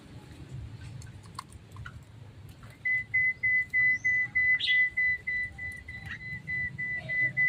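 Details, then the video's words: Kept Javan myna after bathing and sunning, said to become tamer and sing freely; a steady run of level high whistled pulses, about three per second, after a quiet start with faint clicks. "Terapi jalak kebo mandi dan jemur lebih jinak dan gacor."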